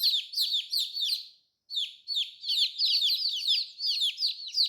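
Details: New baby chicks, coloured, giving shrill falling peeps in quick succession with a brief pause near the middle, many calls overlapping.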